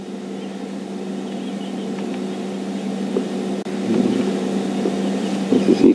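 A steady vehicle engine hum with faint voices and outdoor rumble, and no animal calls.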